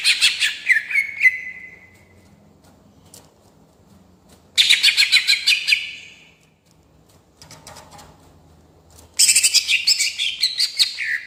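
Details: Greater green leafbird in a rolling singing style for provoking other birds: three loud bursts of fast, high chattering notes, the first ending in a sliding whistle, separated by quiet pauses.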